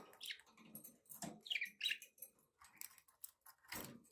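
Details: Pet budgerigars chirping softly: faint, scratchy high chirps and short warbled notes in uneven bursts, with some low rustling beneath.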